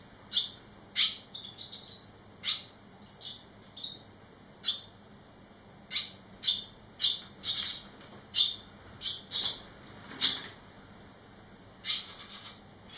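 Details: Eleven-day fledged barn swallows, three young back at the nest: a busy series of sharp high chirps and squeaky calls, irregular and overlapping, growing louder and denser mid-clip, then a few spaced calls.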